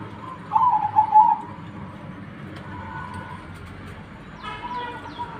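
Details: One phrase of quick staccato zebra dove coos early on, followed by a different harsh harmonic call near the end amid constant low noise.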